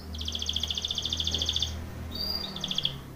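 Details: Canary training song: a steady, rapid high trill runs for about one and a half seconds, followed after a pause by a thin whistle and a short burst of the same trill, over a low hum.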